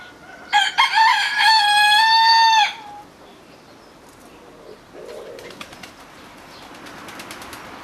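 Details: A cockerel on a homestead crows in an exchange with neighbouring cockerels, thought to warn of a flock of rooks or jackdaws flying over; a single steady crow of about two seconds, then quieter rustling and flapping.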